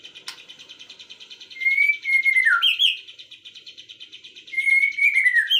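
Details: Afternoon birdsong: a fast, steady buzzy trill runs throughout, broken by two louder whistled phrases that slide downward, each lasting about a second.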